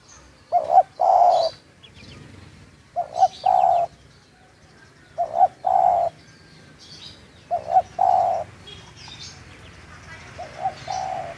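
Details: Local spotted dove calling in Munjung Agung village, Kramat, Tegal: a soft double note then a longer low hooting coo, the phrase repeated about every two and a half seconds, with faint rural background.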